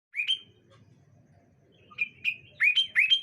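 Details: Sooty-headed bulbuls calling back and forth on a bright morning: a short rising whistled note, then after a pause a run of quick bubbly, slurred whistled notes. There is faint low rumbling underneath.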